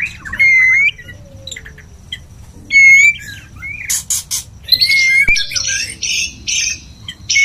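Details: Male white-rumped shama courting a female, giving pure whistled phrases spaced a couple of seconds apart, then harsh buzzy chatter and a fast scratchy sequence.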